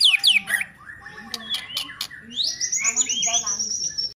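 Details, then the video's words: White-rumped shama song: falling whistles, then sharp clicks, then a rising sweep into a long, very high sustained whistle. "Lagu & Gaya Keren Murai Batu"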